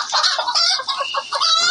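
A hen gives a quick run of five or six nasal, throaty clucks in under two seconds, each note short and slightly rising.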